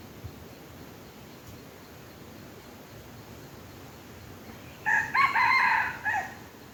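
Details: Red junglefowl attracted by a domestic chicken decoy crows once after a long quiet spell, a rough, segmented call about one and a half seconds long ending in a short drop.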